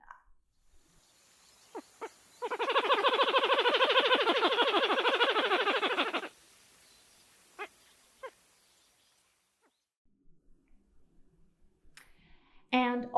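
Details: Pied-billed grebe; call; territorial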